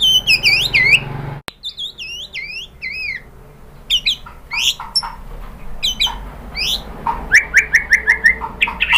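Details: White-rumped shama song used to provoke other shamas into answering: looping whistled notes sweeping up and down, a sharp click, scattered high chips, then a fast run of short repeated notes, over a low steady hum.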